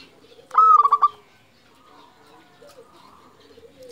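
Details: Local zebra dove in active song, meant to provoke and excite other doves: a single loud burst of quick clipped coos, about half a second long, then quiet with soft distant cooing.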